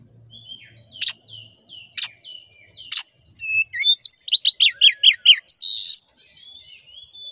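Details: Oriental magpie-robin song used to stir a caged male to aggression: three spaced sharp clicks about a second apart, then a fast run of bright descending notes and a harsh buzzy rasp, followed by soft whistles.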